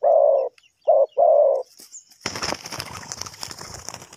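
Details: Spotted dove used in bird trapping coos three flat mid-pitched notes, then a burst of wing flapping and rustling noise fills the rest.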